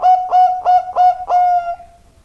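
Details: Zebra dove singing: five soft, rounded cooing notes in steady rhythm, the last one held longer and fading away.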